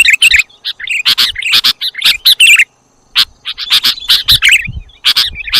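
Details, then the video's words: Lure audio of the Sooty-headed bulbul: quick volleys of high chirps and warbled whistles, a clear silent pause near the middle, then renewed chattering bursts with a faint low background murmur. "audio pikat kutilang jawa dijamin ngumpul semua"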